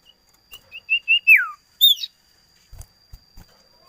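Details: Common iora (cipoh) song: a run of short whistled notes leads into a sweeping downward slur, followed by a sharp higher chirp. A few soft low knocks come near the end.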